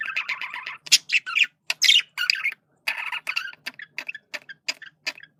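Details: Male budgerigar, a pet Australian parakeet, giving communication sounds: fast chattering warble of short buzzy and squawky notes, about two per second, with brief gaps and sharper rasping bursts mixed in.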